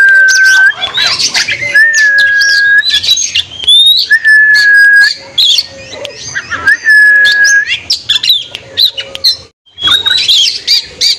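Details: Afternoon song of an Oriental magpie-robin meant to stir up rival birds and rouse young or dispirited birds: long steady mid-pitched whistles held for about a second, broken by bursts of scratchy high twittering.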